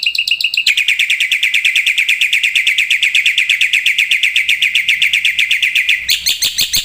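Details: Black-winged myna in full song rich in imitations, used to train and provoke other birds; a fast, even chattering trill of rapid repeated notes runs for several seconds before sharp higher notes.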